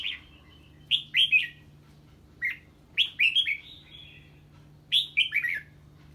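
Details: Red-whiskered bulbul singing on hearing a strange bird: brisk clusters of two to four bright, slurred whistled notes, each falling in pitch, repeated at irregular intervals of about one to two seconds, with a low hum behind.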